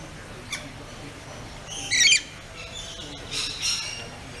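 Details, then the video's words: Pet rainbow lorikeet making calls. One prominent harsh, grating screech rises midway, surrounded by a few faint high chirps over a noticeable background hiss. "Rainbow Lorikeet Making Calls"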